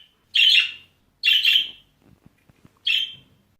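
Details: Budgerigar contact calls within a small pet flock, calling each other even in the same room, with the reply confirming "I'm still here": three loud, harsh, warbling chirrups around half a second each, spaced about a second apart, with faint soft clicks between.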